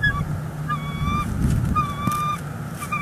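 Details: Bald eagles on their Northeast Florida nest, December 18, 2021, during nest building; drawn-out thin whistled notes with squeaky overtones, nearly continuous, against a loud low-frequency hum.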